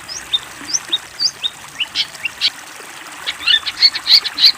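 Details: Long-tailed shrike master song, used to train young birds: a varied string of short high sweeping notes, first spaced and thin, then louder, denser chattering phrases with sharp rising whistles toward the end.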